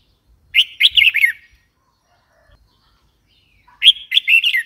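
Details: Red-whiskered bulbul calling twice, each a short burst of lively, warbling whistled notes rising and falling quickly, separated by nearly three seconds of silence.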